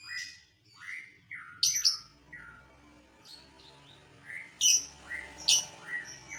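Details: Lovebird song used to provoke other lovebirds: short descending whistled squeaks and sharp high chirps scattered over a low background hum.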